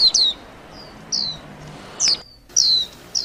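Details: Warbling white-eye uttering a handful of separate, piercing high notes, each a quick downward slur, with pauses of about a second between them.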